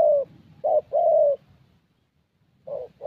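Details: ["Spotted Dove, young 'thổ' type, at a decoy session in Gia Lai, Vietnam: a couple of soft, low coos including one long held note, a second-long silence, then another short-and-long phrase starting."]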